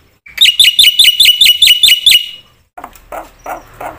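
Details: Black-winged myna in full, varied song used to provoke other mynas into singing: a quick series of about eight sharp, clear whistled notes, evenly spaced, followed by lower, rough chattering notes.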